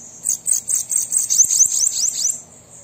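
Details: Bananaquit singing, used to stimulate another caged bird: a continuous string of piercing, buzzy high notes, some with quick downward slurs, lasting over two seconds before fading to a hiss.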